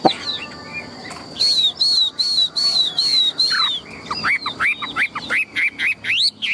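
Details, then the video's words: Chinese hwamei, a tame big-bodied caged bird said to sing loudly and fight well, giving long high drawn-out whistles followed by a quick series of short, looping, upslurred whistled notes. "Chim họa mi thuần - Bộ To - Hót hét rất tốt"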